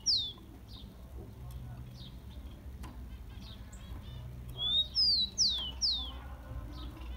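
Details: Rufous-collared sparrow (tico-tico) song used to warm up captive birds: clear, high, down-slurred whistles, a few faint notes early, then a louder run of four quick descending whistles near the end.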